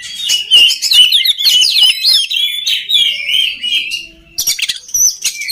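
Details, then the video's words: An oriental magpie-robin, recorded for training other magpie-robins, sings loudly in a rich, rapid stream of varied whistles, slurs and scratchy notes, with a brief lull before bursts of harsh chattering phrases. "SUARA KACER PALING DI CARI UNTUK MELATIH MENTAL KACER LAIN AGAR CEPAT GACOR"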